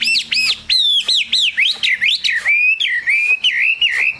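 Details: Loud, rapid song from a Chinese hwamei kept as a cage bird. Pure whistled notes swoop down and up in rhythmic pulses about three per second, then flatten into steady level whistles.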